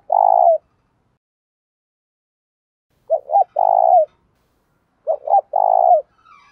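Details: Spotted dove cooing to challenge and lure rival birds: a long low coo, then twice a phrase of two quick clipped notes followed by a drawn-out soft descending coo, repeated every two seconds or so.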